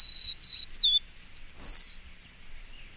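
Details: White-crowned Sparrow song: a few sharp, high whistled notes that slur slightly downward, then a brief, higher, buzzy phrase that fades out. The background is quiet.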